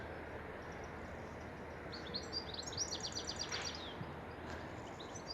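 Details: A goldfinch gives a bright, tinkling trilling twitter of quick high notes for about two seconds in a park, over a steady low rumble of distant traffic.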